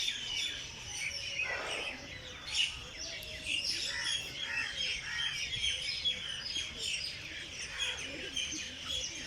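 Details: Dawn birdsong from Jilani Park, Lahore: continuous bright chirping and twittering from numerous birds overlapping, with a soft low hum in the background.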